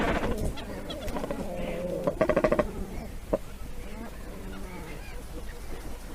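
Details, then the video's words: Cormorants give low, guttural honking croaks, with a quick run of four or five rasping notes in the middle, over a steady murmur of other calls. "Cormorant birds best call voice"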